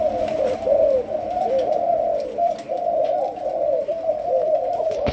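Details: A caged juvenile spotted dove of Malaysian type, trained as a decoy, pours out a continuous, loud, rolling stream of low coos with little pause.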